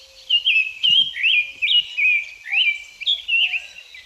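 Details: Summer Tanager singing a steady run of short, slurred, robin-like phrases, each note rising or falling, about two or three a second, over a faint low hum; a riparian breeder along Sonoita Creek, southeast Arizona.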